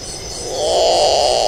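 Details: At night, a great potoo gives a single hoarse, growling moan that swells louder midway and holds steady at a low pitch, with a faint hiss in the background.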